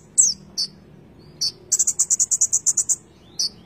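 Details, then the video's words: Konin bird giving a few high downslurred notes, then a quick even trill of about a dozen chirps, and a final single note. "Konin gacor full isian"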